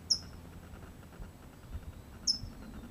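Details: Newly fledged California towhee in its first hours out of the nest, its parents nearby teaching it; two short, sharp, very high chips about two seconds apart over a low steady background hum.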